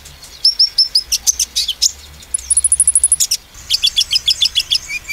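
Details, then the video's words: A sunbird sings in 'nembak' shooting style to provoke rival sunbirds: high metallic notes, then a fast even trill of about a dozen piercing chips, followed by a bouncy series of repeated twittering double notes. "konin nembak mancing emosi konin lain"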